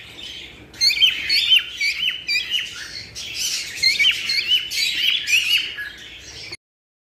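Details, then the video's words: Chirping cockatiels used to encourage mating: a busy run of sharp, high, tweeting notes and short squawks, starting after a quiet second and ending abruptly in silence. "تحفيز طيور الكوكتيل على التزاوج"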